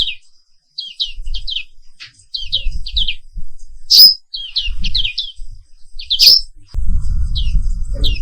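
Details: Black-capped white-eye (Papua pleci 'wiklus') chirping high, quick notes in short groups with two loud sharp calls, against recurring low rumbling noise.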